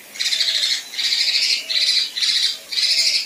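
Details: Female kinoi giving 'besetan' and rough 'tembakan' song, recorded as tutor material for contest birds: five harsh, buzzy, rasping bursts of about half a second each, evenly spaced, high and loud against a quiet background.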